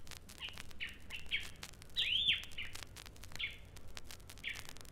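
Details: Rüppell's Robin-Chat in East Africa copying the barking of a small dog and its owner's command whistle: short chirpy phrases around one sharp, arched whistled note near two seconds, over a steady noisy background.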